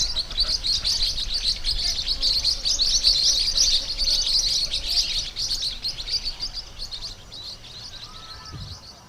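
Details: Pacific parrotlets (Forpus coelestis), kept caged pets, possibly including a pair, chatter in a dense, high, rapid stream of shrill chirps, several birds overlapping, thinning out toward the end.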